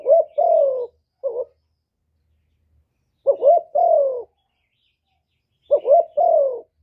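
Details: Spotted dove in a full call-urge-coo song, clean recording meant to stimulate other doves. Three phrases separated by long pauses. Each has a quick rising double note and a drawn-out, gently descending coo. A short lone note follows the first phrase.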